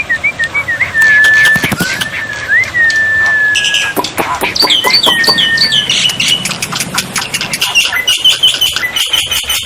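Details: Tutor song of a black-winged myna, paired with water therapy, meant to make non-singing mynas reply: long level whistles with slight bends, then rising and falling whistled phrases among rapid clicking and splashy bursts.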